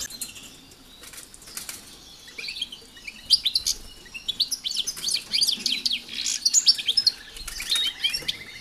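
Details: Captive European goldfinches sharing a new aviary with canaries ahead of pairing; a quiet start with wing flapping, then a dense run of high, rapid twittering and metallic chirps from about three seconds onward.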